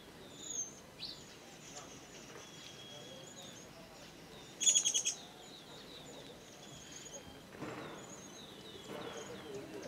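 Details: A slaty-headed parakeet at Pangot, India, in November 2023 gives a quick burst of about five shrill, ringing notes, with scattered thin chirps from other birds around it.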